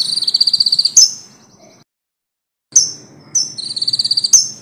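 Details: Common iora song used for training songbirds: high trilled bursts of rapid repeated notes, each ending in a sharp, higher accented note, separated by a silent gap.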